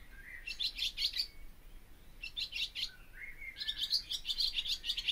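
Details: Barn swallow delivering three bursts of squeaky twittering, the first two short and separated by pauses, the last a longer chattering run with thin whistled slurs.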